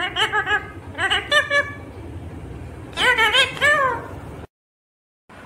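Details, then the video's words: Parrot talking, said to say "mummy papa love u": two bursts of voice-like syllables with wavering, bending pitch, the first near the start and the second around three seconds, then a short silence. "talking Parrot mummy papa Love u"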